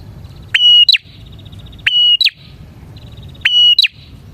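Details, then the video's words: Energetic bar-winged prinia song for luring prinias. Three ringing phrases, each a steady high whistle capped by a short rising-and-falling twist, are linked by a soft fast trill. "suara burung prenjak gacor ini 💯% ampuh untuk pikat prenjak dan pancingan prenjak"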